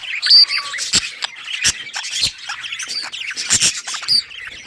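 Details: Colourful budgerigars in a colony, playing and chirping together on August 25, 2023; dense overlapping high chatter of many birds with sharp clicks and short squawks throughout.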